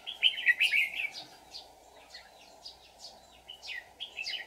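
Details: A decoy red-whiskered bulbul in a song fight, used for trapping wild bulbuls, 24 July 2019. A loud warbled burst opens, followed by spaced, softer sweeping whistled notes, with a steady drone behind.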